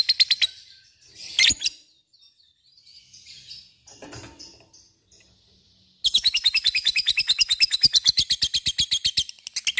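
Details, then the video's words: Lovebird giving scattered harsh chirps and soft chatter, then breaking into a rapid pulsed ngekek chatter for the last four seconds. "LOVEBIRD cik cik cerrr,suara brung labet ngetik ngekek gacor"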